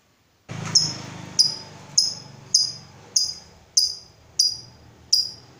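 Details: Lovebird of the fighter type, kept as a pet bird, giving sharp high chirps about every 0.6 seconds, each dropping slightly in pitch, over a faint low hum; used as a lure recording to prompt other lovebirds to answer.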